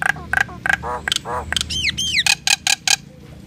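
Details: Common myna (Indian myna) singing: a varied run of sharp harsh chacks, low throaty gurgles and bright downslurred whistles, mixed in quick succession over a faint background hum.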